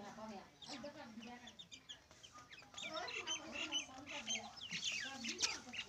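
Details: Hen and her two chicks: low, throaty clucks early on, then many thin, high chick peeps and chirps filling the second half.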